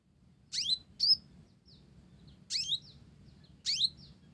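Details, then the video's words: Olive-backed sunbird song with Java sparrow phrases, heard as a few high falling chirps, a pair near the start and two more spaced a second apart, over a soft low hum. "Konin Blorok Gacor isian Gelatik"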